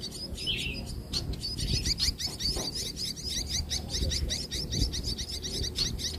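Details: Sparrow mother feeding her chicks toward evening, when feeding grows more frequent. Rapid high chirps from the young repeat in a dense, steady series over a constant low rumbling background.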